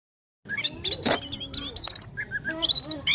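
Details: Orange-headed thrush singing in the 'teler pulen' style: after a short silence, a rapid run of high, sharp chirps, clicks and brief whistles, densely packed with quick changes in pitch, with a faint low background hum.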